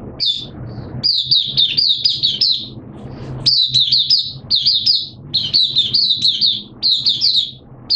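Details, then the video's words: Sustained singing by a caged oriental white-eye, second day of once-monthly deworming, 13 September 2022: lively high-pitched twittering phrases of closely packed slurred notes, broken into several runs by brief gaps. "Mata Puteh T Rex Buka Sing"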